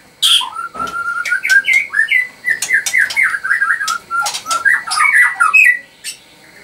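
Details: White-rumped shama, a caged murai batu at a bird farm in Anyer, Banten, singing to make rivals react: a fast stream of clear whistled notes and short slurs, mostly mid-pitched, broken by sharp clicks.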